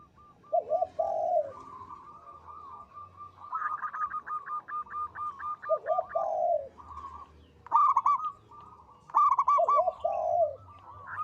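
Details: Local zebra dove singing long, melodious phrases: low rolling coos alternate with rapid series of short clipped notes, repeated several times with brief pauses between phrases.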